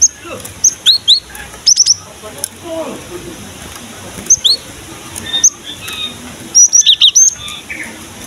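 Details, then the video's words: Energetic Cinereous tit song used to lure and set young birds singing: clear shrill whistles in fast runs of two to four notes, recurring every second or two, ending in a dense burst. "KICAUAN BURUNG GELATIK BATU GACOR"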